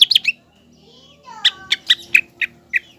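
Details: Green leafbird song meant to stir a juvenile speckled leafbird into fighting mood. Opens with sharp chattering notes, then a soft rising slur and a string of short, evenly spaced chips.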